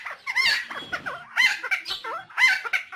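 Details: Helmeted friarbird (cucak timor, koak kaok), endemic to Nusa Tenggara, in a lure recording: raucous, cackling phrases of nasal squawks and liquid gurgles, three loud bursts about a second apart with rough chatter between.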